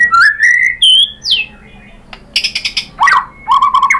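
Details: Loud clear whistled phrases from a white-rumped shama, a falling slur, then harsh buzzy bursts and quick swooping whistles, played to make other shamas sing back.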